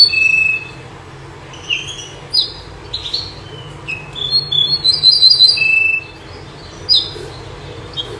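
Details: Song of the common nightingale (local names bouh zarhouni, menyar), which sings night and day. Scattered sharp chirps and a level whistle, then a quick trill of high repeated notes midway, followed by further isolated chirps.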